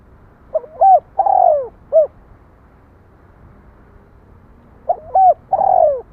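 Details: One complete spotted dove coo phrase: quick soft notes, a long rolling downward coo and a short final coo. After a long quiet gap, a second phrase begins and is cut off.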